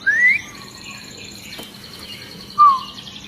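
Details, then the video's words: Agitated long-tailed white-rumped shama, its song stirring other shamas to sing: a clear rising whistle, then a short falling whistled note after a pause, with faint high notes from other birds between them. "Murai Batu Ekor Panjang Ngamuk Dan Bikin Burung Murai Lain ikut Gacor !!!"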